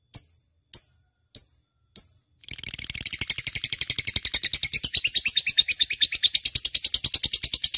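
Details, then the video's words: Lovebird singing vigorously, offered as a lure to get other birds to sing: four sharp, evenly spaced ticking notes, then a dense, fast, buzzy chattering run of high, rapid pulses that continues to the end. "Suara Burung Love bird gacor cocok untuk pancingan"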